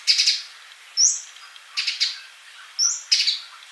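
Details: Male olive-backed sunbird, singing to tutor young birds not yet singing: a few high piercing whistles and chirp bursts separated by quiet pauses of about a second.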